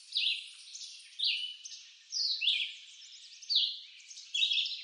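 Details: Red-eyed vireo song from eastern North American woodland, a steady series of brief slurred whistled phrases, each a quick up-and-down note, spaced roughly a second apart.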